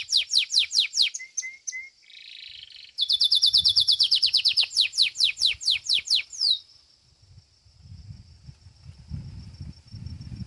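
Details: Domestic Belgian canary singing at a song competition. A fast series of high, steeply falling notes gives way to a brief buzzy passage, then a bright rapid trill of repeated slurred notes and a long held whistle, with faint low rumbling behind.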